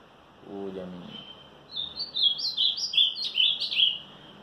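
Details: Ultramarine grosbeak singing strongly on a Monday morning, 18 March: a quick, rich warbled phrase of clear, high rising-and-falling notes lasting about two seconds, after a man briefly speaks.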